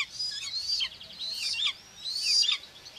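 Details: Common buzzard mother feeding two chicks at the nest, Tiszalök, Hungary, June 2, 2024, nest camera: three drawn-out, high, squealing whistles, each slurring downward, with a slightly hissy background.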